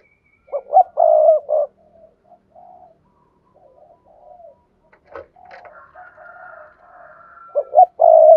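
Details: Spotted dove cooing, played to spur silent doves into calling. Opens with two quick notes and a sustained low coo, then quiet faint cooing, and ends with another loud three-part coo.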